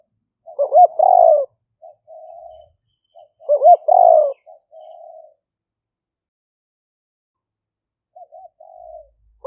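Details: Spotted dove used as a trapping lure, liu-hoi singing style, recorded live on a smartphone in Thai rice fields during rainy season, Roi Et, 2021: two full phrases about three seconds apart, each a stuttered coo, a rolling coo and soft tail notes; later a brief coo.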